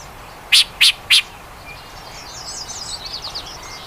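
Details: Yellow-breasted Chat gives three loud, harsh chack notes about a third of a second apart, followed by a faint, scratchy jumble of high chatter.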